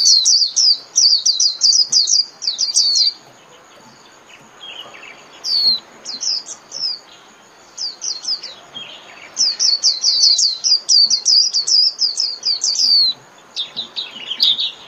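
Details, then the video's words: Long líu-style performance by a Japanese white-eye, played half an hour daily to caged birds: repeated bursts of quick, high, descending whistled notes, several phrases broken by short silences across fifteen seconds. "TIẾNG CHIM KHUYÊN LÍU"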